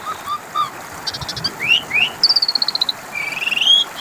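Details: Asian pied starling song used as a lure to make other birds answer: varied whistled slurs, a rapid rattled series of short notes, and rising buzzy phrases, all high-pitched over steady background hiss.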